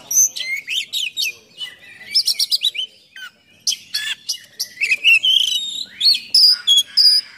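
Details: Oriental magpie-robin giving a full, rough, varied song meant to stir and train other magpie-robins: fast harsh chatters, rising whistled slurs and clipped high notes, several per second.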